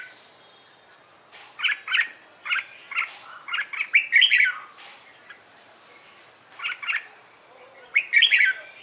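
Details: Caged red-whiskered bulbul giving morning contest-style song: after a quiet start, a run of rapid chirpy whistled notes builds into a loud, slurred phrase, followed by a pause and two more short bursts.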